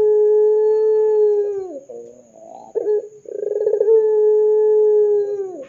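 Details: Ringneck dove cooing as a lure to set other doves calling: a long steady low coo that slides down at the end, then rough trilled notes, then a second drawn-out coo.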